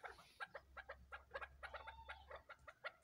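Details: Young crossbred chukar partridge chicks give a quick run of short, clucking chips, about four a second, over a low steady hum.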